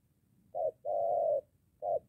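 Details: Spotted dove, a moulting decoy practising near home in Gia Lai, Vietnam, facing a wild bird: one short soft coo, then a long, even, husky coo, followed by the start of another short note.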